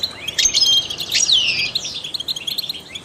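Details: Trained European goldfinch giving a twittering phrase with a prominent buzzy, descending slurred note at its center, followed by quieter, spaced chirps.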